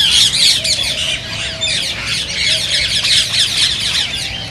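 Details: Dense high-pitched screeching and chirping from many green rose-ringed parakeets, described as sounds that stimulate singing and mating, with the loudest bursts at the start and a faint low whistle in the background.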